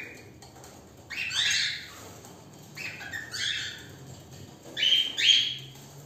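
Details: Pet cockatiel playing a 'woodpecker game' with its owner: three groups of short scratchy squawking chirps, sliding upward and rising in loudness toward the end, over a faint low hum.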